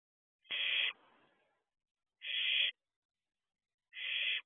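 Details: Barn owl owlet at a nest box at night, 4:31 am on 2 June 2023, looking around outside: three harsh, hissing screeches, each about half a second, separated by long silent gaps.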